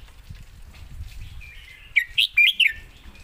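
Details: Red-whiskered bulbul giving a master-song phrase: after low rumbling background, a quick string of four loud, bouncy whistled notes rising and dipping near the end.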